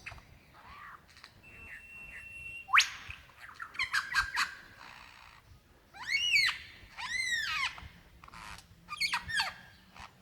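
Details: Lyrebird male calling for a female, Dandenong Ranges, Victoria, February 2016: a held whistle, a sharp rising sweep, quick trills, then three loud arching whistled phrases spaced about a second apart.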